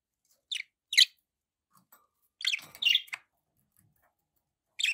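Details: Kept budgies give short bright chirps in pairs with quiet gaps, plus one brief scratchy warbled phrase in the middle.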